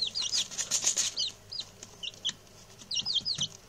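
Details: Newly arrived male chicks, six in all, chirp busily: short high peeps sliding downward, clustered at the start and end with a quieter gap between, over faint rustling.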